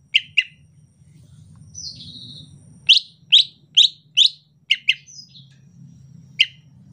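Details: Greater green leafbird's relaxed rainy-season chatter: scattered sharp chips, a drawn-out descending whistle, then a cluster of loud ringing chip notes with short gaps between them.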